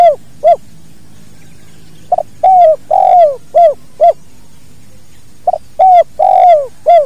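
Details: Natural recording of a spotted dove, 'kuk dua' song style, intended for training other birds. Two repeated phrases of soft, hollow coos: a clipped note, two long falling coos, then two short rounded ones, against quiet low hum.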